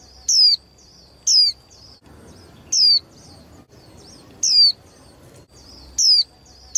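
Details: Young female white-eye, used to rouse males in singing contests, repeating a shrill downward-sliding note about six times, spaced one to two seconds apart, with thin high twitters in between.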